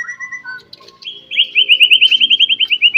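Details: Morning singing meant to set other white-rumped shamas singing: a few soft whistles, then a fast even trill of repeated bright notes, about fifteen in one and a half seconds.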